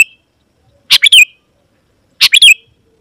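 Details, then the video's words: Sooty-headed bulbul in full song to call wild rivals of its kind closer: two bursts of loud, bubbly, harsh chirping notes about a second apart, ending in squeaky whistled flourishes. "Suara Burung KUTILANG GACOR Memanggil Lawan Burung Kutilang Liar Auto Nyaut dan Mendekat"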